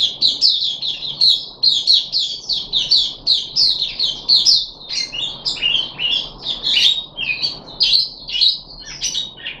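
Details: Puff-backed bulbul held in a cage, third day of deworming, 14 July 2021, repeating crisp, sharp chip notes in steady bursts, then breaking into longer looping warbled slurs; low background hum.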